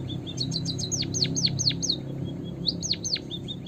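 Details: White-headed munia song used as a trapping lure, sung vigorously: high whistled notes sweeping sharply downward, repeated in quick runs, with short flat piping notes between and a low rumbling background.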